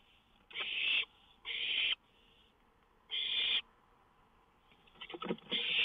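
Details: At night on a lookout, 19 May 2013, an owl gives hoarse, noisy hisses, two close together, then another after a pause, with a patch of scratchy rustling before a final hiss.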